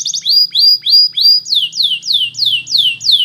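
Belgian canary singing bright, high trills: a run of short upslurred notes, then a quick series of clear downward-swooping whistles, about three per second.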